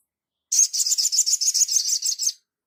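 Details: Sunbird on a master recording for training birds: a rapid, even series of about twelve sharp, buzzy high notes run together over nearly two seconds.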